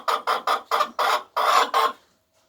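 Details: Hens laying eggs: seven loud, harsh cackling notes in quick rhythm, the last two longer, then the calling stops into quiet.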